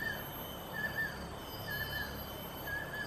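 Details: Banded kingfisher pair, male and female, calling: a run of thin whistled notes, some doubled, spaced about a second apart, partly masked by a loud low rumbling background and a constant high hum.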